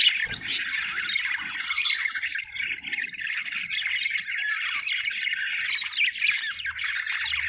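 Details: Australian budgerigars, described as happy, twitter steadily in a dense mix of squeaky chirps and scratchy warbling, with a couple of sharper high notes early on and faint low noises.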